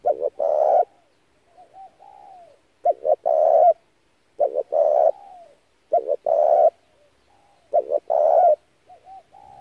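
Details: Spotted dove calling as a lure for trapping doves, rhythmic phrases of two quick coos and one drawn-out coo repeated about every one and a half seconds, with soft low notes between.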